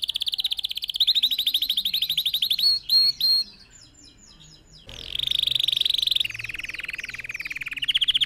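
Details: Red factor canary singing for training other birds, in long fast trills of rapid notes near the high middle register, a brief pause, then more rolling trills and a lower buzzy tour.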